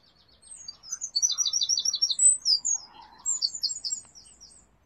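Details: Garden wren of a family nesting next to a window, July 2021, pours out a loud, high-pitched, fast song with machine-gun trills and sharp whistles, while a fainter lower bird twitters beneath.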